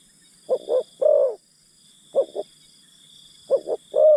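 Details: Spotted dove acting as a decoy to coax wild doves, calling three times in four seconds, each phrase two short hollow notes followed by a fuller prolonged coo, over a faint steady high hum.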